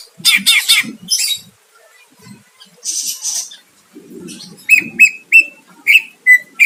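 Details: Greater green leafbird singing to provoke a rival: harsh rasping bursts, then a pause, then a row of clear, short whistled notes at a steady pitch, with low muffled knocks between phrases.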